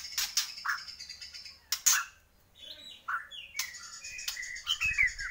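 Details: Borneo white-rumped shama singing: rich, slurred whistles and rasping notes with loud clicks, a brief pause midway, then a tumbling, twittering phrase.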